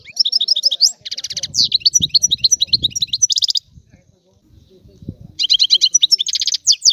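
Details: Sicilian European goldfinch singing a rare old-style song: bursts of rapid, bright twittering with quick buzzy trills, a pause, then another fast run of chattering notes, with faint low murmuring in the gap.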